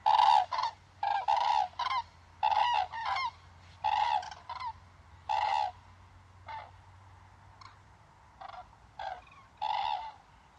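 Common Cranes calling in loud, trumpeting, rolling bugles, repeated in irregular bursts about once or twice a second, with fainter answering calls and a low background hum.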